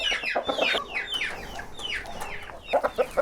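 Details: Chickens on a farm in Portugal going crazy to be let out, a noisy chorus of overlapping downward-sliding squawks and short clucks, with sharp lower clucks near the end.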